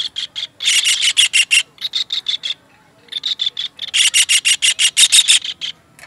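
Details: Shrill, rapid kingfisher notes from a master recording used to train songbirds, delivered in dense loud series with a short silent break midway.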